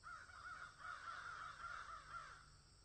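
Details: In a field, crows call with a steady stream of rasping overlapping caws above a low droning background.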